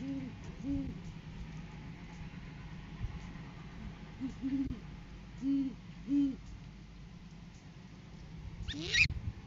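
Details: Great horned owl on a live cam during courting season, male arriving with a food gift for the female; soft, deep hoots in two short series over a faint hum, ending with a sharp noise burst.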